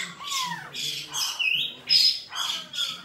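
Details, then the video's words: Black-throated laughingthrush fighting song, made of a rising whistled phrase followed by a run of harsh, rasping squawks repeated about twice a second, with one sharp high whistle in the middle. "Khưu mun hót đấu"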